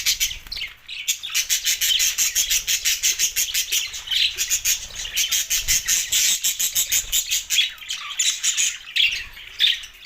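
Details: Budgerigars, several birds, chirping together in a dense, continuous chatter of rapid high buzzy chirps and squawks, with pulses packed closely for the whole stretch and no pause.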